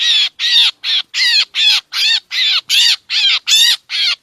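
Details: Lure recording of a black drongo for trapping birds. A run of ten loud, grating, buzzy calls, each slightly arched and rasping, spaced evenly at roughly two per second against a quiet background.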